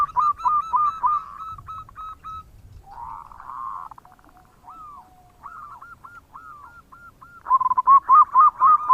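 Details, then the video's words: Singing local zebra dove in bekur style, used to lure other birds: a fast run of mid-pitched coos, a warbling phrase, slow sliding notes and evenly spaced clipped notes, ending in a loud rapid flurry. "Perkutut Lokal Gacor Suara Bekur Untuk Pancingan"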